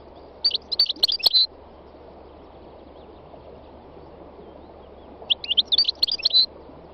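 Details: Song of a wild goldfinch: two clusters of fast, liquid tinkling notes separated by several seconds of quiet, steady low-pitched background noise throughout.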